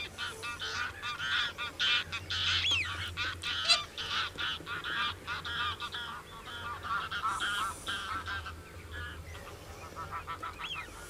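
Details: Common cranes calling: a dense, overlapping chorus of loud trumpeting honks with strong ringing harmonics, several birds calling at once, roughly two calls per second, with no steady rhythm.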